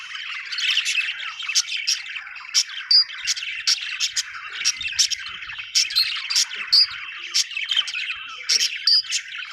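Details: Budgerigars in a lively flock chorus: continuous high warbling chatter punctuated by sharp clicking chirps every fraction of a second and brief whistled squeaks.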